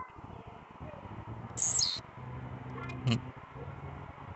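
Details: At night an agitated Blue-black grassquit gives a single short, high, buzzy burst with a falling sweep, followed by a sharp click amid steady low hum and background noise.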